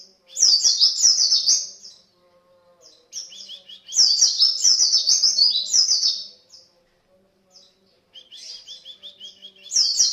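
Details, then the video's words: Vigorous 'gacor' white-eye lure song ('pancingan'), delivered in three loud bursts of fast, high-pitched chattering warble, each lasting about two seconds and separated by short quiet gaps filled with soft twitters. "pancingan pleci gacor"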